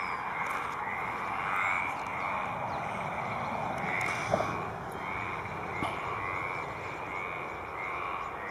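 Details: A male Baillon's crake at Poça da Amoreira gives a dry, frog-like rattle in short bursts, repeated roughly every second, over a steady hiss of wind or water.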